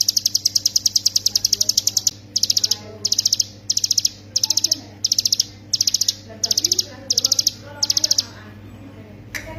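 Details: Hill prinia ('ciblek gunung'), song for training songbirds, 'ngebren' style: a fast run of very high ticks, then about ten evenly spaced bursts of rapid sharp notes, each under half a second long.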